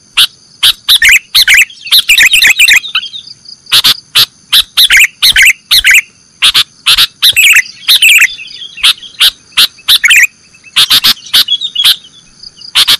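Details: Sooty-headed bulbul singing nggaruda style on a master recording for caged-bird training. A long sequence of sharp ticks and scratchy warbled phrases, fairly steady and dense throughout, rides over a constant faint high whine.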